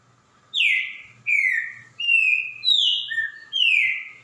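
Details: Green-winged saltator song: loud, rich whistled phrases, each a long slurred note sliding downward, six in sequence at varied pitches with brief gaps, over a faint low hum.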